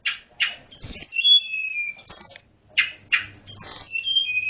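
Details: Snowy-browed flycatcher in full song, used as training material for other songbirds: clipped downslurred notes alternating with high, sharp whistles and lower drawn-out whistled tones, phrases repeated in two similar sequences.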